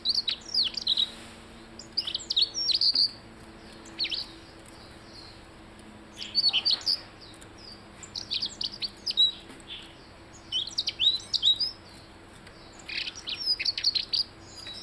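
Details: Blue-headed rock thrush singing in bursts of high, rapid chirps and squeaky whistled notes, short phrases separated by brief pauses, with a faint low hum underneath.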